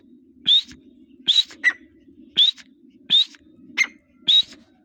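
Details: Grey partridge (teetar) in breeding season giving sharp, upslurred squeaky notes about every 0.7 seconds, some followed by a lower clipped note, over a steady low hum.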